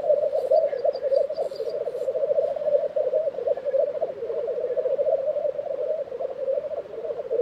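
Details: At a black grouse lek in Tiveden, Sweden, in April 2023, the low pulsing bubbling chorus dominates, with faint high twittering in the first two seconds.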